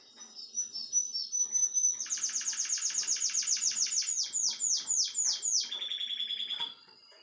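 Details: Russian canary, a nine-year-old male teaching young birds, sings indoors: a thin whistled note, then a long fast rolling trill of repeated descending sweeps about four per second, ending in a steady buzzy tone.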